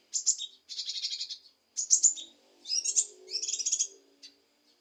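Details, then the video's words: Leafbird (cucak kinoi) song meant to stir a reluctant bird into singing: dense, high, chattering phrases of rapid twittered notes in four bursts, separated by brief pauses. "Cucak Kinoi Untuk Memancing Emosi Kinoi Malas Bunyi"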